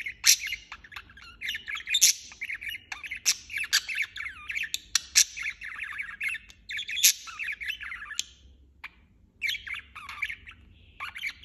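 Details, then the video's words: Budgerigar keeps up its chirping, a long stream of rapid, burbling warble with frequent sharp clicks and squeaks and a brief lull near the end. "Chirping non-stop"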